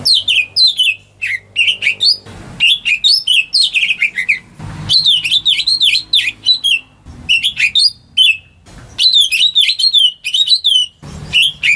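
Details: Home-kept greater green leafbird, used as a lure to get silent birds singing, delivers long runs of fluid, wavering whistles and sharp high notes, rising and falling quickly, with a few brief gaps and soft knocks.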